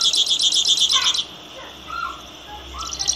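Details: A misto delivers a dense, high, buzzy trill that stops abruptly and then resumes. Softer, lower whistled notes from another bird are heard in between.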